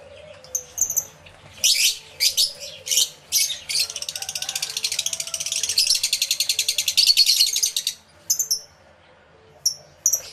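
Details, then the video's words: Aviary lovebirds on a camera with two external microphones: separate shrill squawks, then a sustained buzzy trill of very rapid high pulses lasting about four seconds, then a few final squeaks. "Lovebird Sounds Aviary Series"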